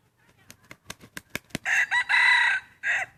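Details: Free-range rooster in Hmong hill-farm fields beside forest, out eating grass and weeds; several sharp wing claps, then a loud, ringing crow broken into stretched syllables, ending with a final short phrase.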